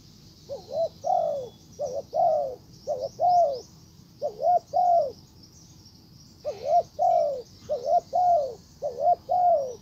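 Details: Spotted dove used as a decoy, calling to lure a wild bird: low, mellow cooing phrases, each a quick double coo then a longer falling coo, repeated in two bursts separated by a short pause, over a steady high background chirring.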